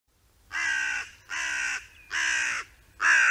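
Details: Hooded crow, one of a group foraging in a meadow where one digs into an acorn while another watches, gives four harsh, rasping caws, each about half a second long, roughly a second apart, over a quiet background.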